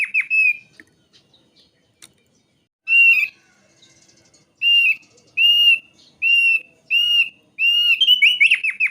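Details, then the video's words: Thick-billed white-eye, endemic to Sumbawa and Flores, played as a lure to prompt singing: sharp high whistled notes, mostly short arched slurs repeated about every half second, ending in a quick jumbled warble. "Pancingan Burung Opior Paruh Tebal Agar Bisa Ngerol Suara Tajam"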